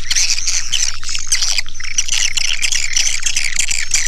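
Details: Dense swiftlet chirping, harsh buzzy twitters in quick bursts, with a faint low hum running underneath.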